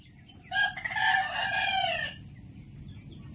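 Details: Rooster crowing: one drawn-out, harsh, harmonic-rich cock-a-doodle-doo lasting about one and a half seconds, with a steady high hiss in the background.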